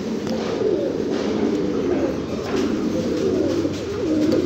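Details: A loft chorus of domestic fancy pigeons, low continuous cooing with overlapping rolling phrases rising and falling, plus faint clicks and rustling.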